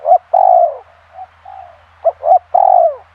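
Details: Short burst of spotted dove (tekukur) cooing from a pikat lure bird: a clipped note and long descending coo, two soft murmurs, then a double note and another long downward coo.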